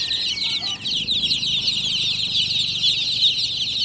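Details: Just-born chicks chirping loudly at night: overlapping shrill peeps from a large group, with a short thin whistle-like tone near the start.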